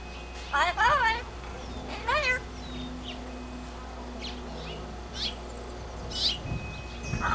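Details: Blue-fronted Amazon outside on its playpen chattering: a few loud wavy speech-like phrases near the start, then scattered softer squeaks and short sharp notes against a constant low background hum.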